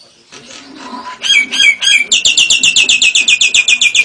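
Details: Nias hill myna voicing lovebird and canary imitations: soft, scratchy notes, three loud downslurred whistles, then a rapid, regular string of high, piercing chirps running to the end.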